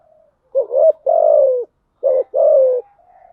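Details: Lure coo of a spotted dove for attracting doves, 'thúc gù' and 'gáy gọi' styles: two phrases, each a short warbled coo then a drawn-out, gently falling hoot, with faint cooing before and after.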